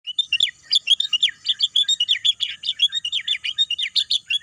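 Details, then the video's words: Birdsong amid green natural scenery: a dense, continuous run of high, quick chirps and twittering notes, rapid and overlapping across the whole stretch, with no other sounds standing out. "bunyi kicauan burung"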